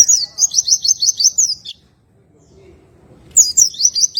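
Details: Oriental white-eye giving relaxed tembakan ngroll song: a long, high, rapidly rolling trill of repeated notes lasting over a second and a half, a quiet pause, then the trill starts again.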